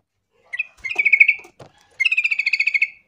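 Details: Sooty-headed bulbul in full voice as a lure for others of its kind: a fast string of bright chirping notes, a short break with a dull thud, then a longer even run of about a dozen quick, ringing pulses.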